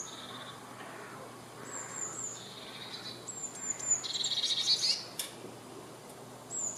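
A Eurasian blue tit gives a few very high, thin drawn-out notes, then a quick, lower trill lasting about a second, over faint background hiss.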